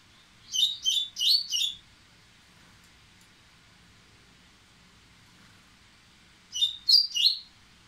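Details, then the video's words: Excited Dubois's seedeater getting ready to sing, giving a fast run of four sharp high chirps, then a long pause, then another tight burst of three or four bright notes. "Coleiro Baiano Ardesiaca, impetuoso, aprontando!!!!!"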